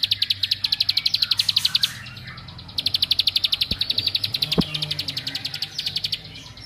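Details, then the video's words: A bar-winged prinia sings a song meant to rile up other prinias. It gives fast machine-gun trills of sharp, high notes in two long runs separated by a brief gap, with a few faint clicks in the background. "Kicaun Cibl3k ini Bikin Semua Cibl3k Makin Emosi"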